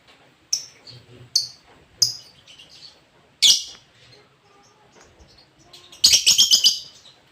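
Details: A lobert gives separate high, sharp chirps at intervals, then a fast rattling burst of rapid notes near the end, with a low background hum.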